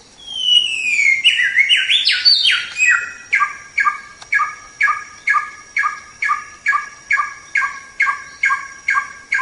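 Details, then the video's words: Singing white-rumped shama on a training track begins with flowing, rising and falling whistled phrases, then switches to crisp repeated notes roughly every half second. "Masteran Suara Samyong"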